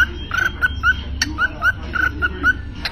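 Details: Cockatiel whistling a series of short, clear, mid-pitched notes, each with a slight upward slide, about ten in three seconds with small gaps between phrases, over a low background rumble.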